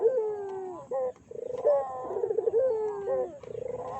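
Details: Collared dove (burung puter) calling as a lure to provoke other doves. Low, harmonic coos with a rolling, pulsed start sliding into a long descending note, repeated in phrases roughly every two seconds.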